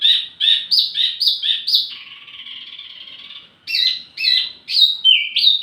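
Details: Wambi mini song used as lure and master tutoring audio for tledekan birds: quick repeated high chirped notes, then a sustained buzzy trill, then more sharp rising-falling chirps.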